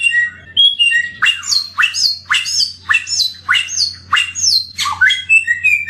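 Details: Samyong bird, an endemic Indonesian songbird said to sing melodiously. Sharp notes that rise and then fall repeat roughly every half second in a steady, loud, slightly squawky series.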